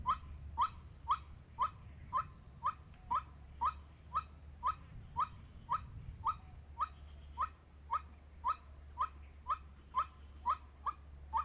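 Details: White-breasted waterhen lure sound used in bird trapping: a monotonous string of brief rising notes, about two per second for over ten seconds, with a steady low hum.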